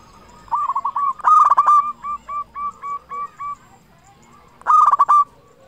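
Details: Zebra dove song from a loud local bird, meant to stimulate other zebra doves to sing; soft trilled notes build into a loud rolled burst, then a rapid series of clipped coos and a final bright burst.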